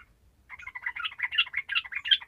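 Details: Sooty-headed bulbul singing 'gacor' style to rouse lazy bulbuls: a continuous run of bubbly, liquid warbles rising and falling rapidly.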